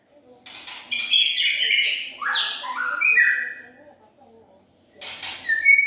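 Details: White-rumped shama (murai batu) lure song, 2021: harsh scratchy notes sliding into descending whistles, a pause, then a sharp burst and a bright high whistle.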